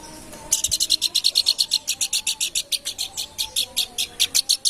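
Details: Babbler, known locally as planduk bukit, singing vigorously: a fast, steady train of short, sharp, high-pitched notes, about six per second, running for over four seconds against a quiet low background hum.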